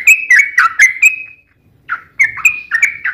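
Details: Sooty-headed bulbul fighting song, played to draw other bulbuls into singing: a quick string of bright slurred chirps, a brief pause, then several more chirps.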